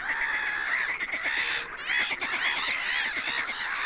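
Red-crested pochards give a steady, overlapping chatter of nasal, wheezy calls with raspy honking notes, like a busy flock calling without pause.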